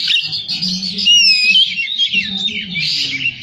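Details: Oriental magpie-robin singing with a full range of imitated phrases: a continuous, rich run of high, varied whistles and warbles, with a faint low hum beneath.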